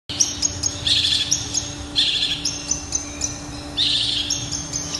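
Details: Long-tailed shrike from Indonesia singing in lively bursts of high, scratchy chattering notes, with loud dense phrases near the start, middle and end separated by softer twittering, over a faint steady low hum.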